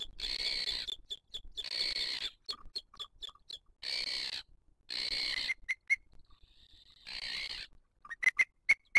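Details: Booted eagle at a wild nest in 2023, with the female feeding her chick: a run of harsh, hissing screeches of about a second each, separated by brief sharp clicks and short high whistled notes, and a burst of quick chirps at the end.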